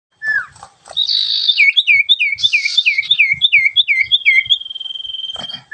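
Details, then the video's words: Sooty-headed bulbul singing vigorously in a 'dor ngentrok' style: a fast series of bright, downward-curling whistled notes, about three per second, then a long, steady high whistle near the end. "burung sirfu gacor dor ngentrok"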